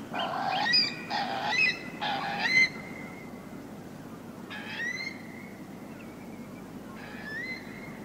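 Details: Eurasian curlew giving three rough, hoarse, untypical calls in quick succession, then thinner rising whistled notes from other shorebirds (oystercatcher, redshank, gulls, snipe) over a steady background hiss; the finding is Eurasian curlew.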